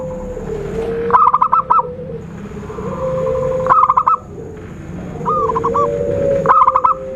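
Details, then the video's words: Zebra dove lure call for trapping: four spaced bursts of quick, clipped cooing notes, each about half a second long, with a steady wavering tone and low noise behind. "Suara Khusus PIKAT burung Perkutut/Merbuk Paling Jitu"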